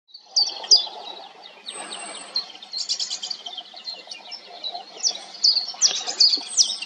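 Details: A common chiffchaff, seen out in nature during the corona virus period, sings a run of high, clipped notes at an uneven pace, with other thin chirps and a soft background hum.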